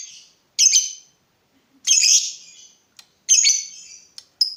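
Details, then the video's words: Lovebird in full song, used as a tutor and lure recording: three rasping, buzzy high screeches spaced about 1.3 seconds apart, with a couple of brief sharp ticks between them. "Pancingan lovebird terbaik bikin lovebird anda panas"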